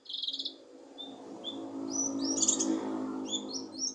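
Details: Leafbird, locally cucak kinoi, heard as bait for a lazy bird: a buzzy trill, then rapid high twittering slurred notes over a steady low hum.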